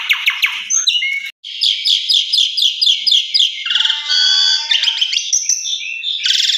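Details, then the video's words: Asian pied starling singing indoors, used as a lure to make a caged bird sing: quick repeated chattering phrases, a short gap, then long strings of rattling notes mixed with whistles and squeaks. "Pancingan Dalam Rumah Jalak Suren Biar Cepat Gacor Jebolll Isian"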